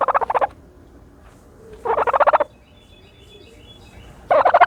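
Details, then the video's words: Turkey bathing in dirt, three rapid pulsed rattles spaced roughly two seconds apart, each about half a second long, over a quiet background. "the special noises of a turkey bathing in dirt"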